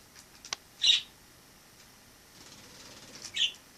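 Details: Wild sparrow living indoors after entering through a balcony in autumn 2006: two short, bright chirps about two and a half seconds apart, with faint soft rustling between them in an otherwise quiet room.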